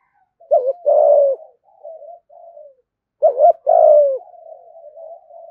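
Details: Caged spotted dove serving as a lure, repeating a loud phrase of a short two-note hoot and a long falling coo about every three seconds, with soft trailing coos between.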